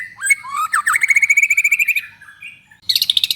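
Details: Vigorous white-rumped shama song used to stir other shamas to sing: rising and sweeping whistles leading into a fast rhythmic rattle of repeated notes, a brief pause, then a higher, rapid burst of notes.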